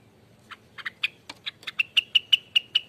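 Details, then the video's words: Short burst of Rengganis ropel song, a lure and master recording. A few uneven chips build into evenly spaced, ringing whistled notes, about five each second. "ROPELAN ribut loss burung Rengganis"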